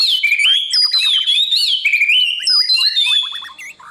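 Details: White-rumped shama morning training song for competition birds, with loud, wavering high whistled phrases, then a burst of quick descending slurred notes before the song fades.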